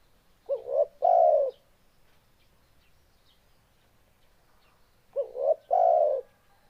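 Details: Spotted dove giving two song phrases several seconds apart, each a short rising double note then a longer, louder, slightly falling coo, in otherwise quiet surroundings.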